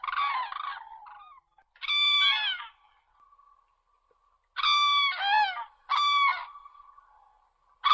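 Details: Crane (Grus) giving loud, ringing trumpeted calls in short bursts, each rich in stacked overtones and slightly wavering in pitch, with a quiet steady tone in the gaps between calls.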